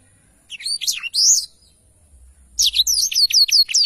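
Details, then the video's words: Black-throated canary tutor song for songbird training: a few jumbled high slurred notes, a quiet pause, then a rapid regular volley of sharp, repeated down-sweeping whistles. "blacktroath gacor cocok untuk masteran"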